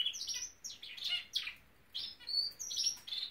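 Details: Norwich canary in song: short bursts of high chirps and slurred whistles broken by brief pauses, ending in clear ringing piping notes, with a quiet room in the background.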